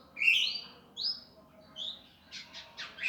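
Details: Indigo Flycatcher in fast, rough gavor style for training birds: drawn-out rising whistles, then a quick cluster of harsh buzzy chips at the end.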